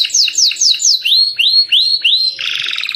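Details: Captive canary singing to tutor other birds: four quick downward-slurred notes, then four upswept whistles, ending in a dense, rapid buzzy roll.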